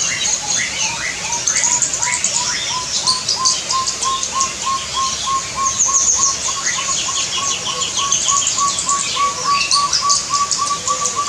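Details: Chestnut-bellied partridge in an aviary, in a recording of its loud, echoing call, giving a long run of hollow whistled notes, about three a second, edging slowly higher in pitch, while many small birds chirp busily above.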